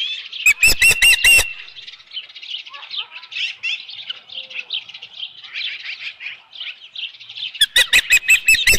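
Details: At the Dunrovin Ranch osprey nest, mid-July 2018 at dusk, with a headless fish: short bursts of shrill rapid chirps open and close the clip, with several seconds of quieter chittering between them.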